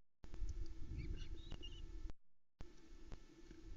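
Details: Female osprey on a Loch Arkaig nest near dark on 8 July 2020, calling while the male brings a trout for the chicks; brief high chirped notes in a quick cluster, recorded by nest camera over constant low-pitched hum.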